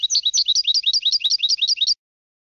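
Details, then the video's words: European goldfinch singing a quick run of liquid, tinkling chirps repeated about ten times per second for two seconds, with a single click in the middle, then silence; recording made to train birds for song contests. "Canto del Jilguero 5 horas para educación de concurso"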